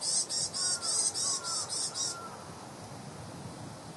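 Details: Varied tit in the East Gardens, Tokyo, in January 2014, giving a quick series of about eight harsh, high buzzy notes over two seconds, then silence with faint background hum.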